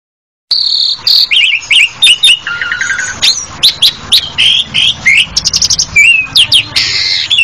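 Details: Jalak suren, the Asian pied starling, starting after a half-second of silence with a steady high whistle, then mixed squeaky notes, clicks and chattering bursts in quick succession.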